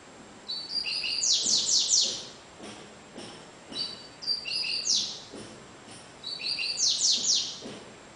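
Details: A Cigano-type double-collared seedeater, averaging about 30 songs per minute, sings three bright, high phrases about every three seconds, each opening with short whistled notes and ending in a fast, buzzy trill.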